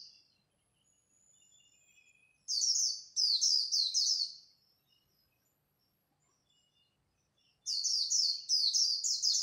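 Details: White-eye in a dawn singing contest, khuyên líu style: two long outbursts of shrill, rapid warbling, several quick phrases each, separated by a few seconds of quiet with faint background chirps.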